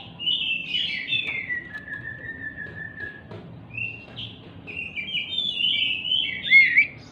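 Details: Agitated, jumping Oriental magpie-robin used as bait to get silent magpie-robins singing: fairly quiet whistled phrases, a long level whistle, then varied warbling notes ending in a sharp upswept note, over low background hiss.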